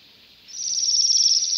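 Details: A single high, rapidly pulsed trill rising out of near silence from a Bohemian waxwing eating rowan berries in a December yard in Pushkin, Saint Petersburg.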